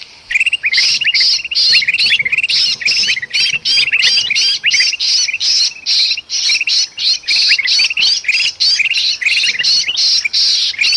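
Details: Noisy, agitated bulbul from Sumatran forest, used to lure birds. It gives a continuous stream of harsh, hissing bursts interleaved with sharp up-slurred chirps, repeated almost nonstop at a frantic pace for over ten seconds.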